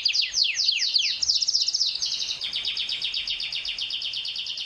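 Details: Canary singing while courting a female: opening cascade of sharp falling whistles, a bright rattling trill, then a long even series of rapid chattering notes at high pitch.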